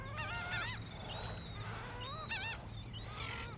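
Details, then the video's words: Laughing gulls on the beach at Jones Park, Gulfport, Mississippi, on a morning at low tide: short bursts of nasal, wavering, harmonic calls in quick series, separated by pauses, over a low steady hum and faint background noise. "The "Laughing" Gulls"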